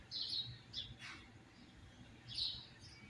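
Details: A captive double-collared seedeater, fired up and singing, gives high, clear whistled phrases with a brief pause and a short buzzy burst between them; the song is offered for training other seedeaters.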